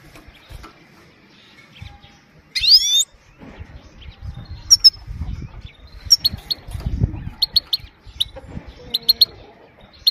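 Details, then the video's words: Female European goldfinch giving short call notes, used to stimulate males and train young birds; sharp high chirps in small clusters, with one louder rising whistled note early on and low background rumble. "پیت پیت ماده بدون مستی برای تحریک کردن و برای مستی سایره| Gold finch voice clean the best bird"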